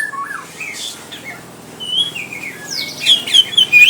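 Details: Greater green leafbird tested for fighting spirit at home gives clear whistled phrases, rising slurs and some rough notes, building to a louder run of bright, quick whistles at the close.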